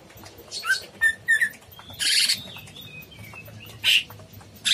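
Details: Cucak cungkok bulbul in full song, mixing short clear whistled notes with loud buzzy chattering bursts at irregular intervals.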